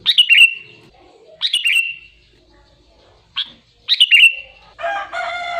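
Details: Sooty-headed bulbul singing short, clear phrases, each a quick bright note sliding into a falling whistle. Three phrases come in fairly quiet surroundings, followed by a harsher harmonic sound at the end.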